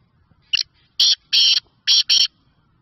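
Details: Harsh, rasping call of a black francolin (kala teetar) from Sindh, Pakistan: one short scratchy note, then four longer grating bursts spaced under half a second apart. The background is otherwise quiet.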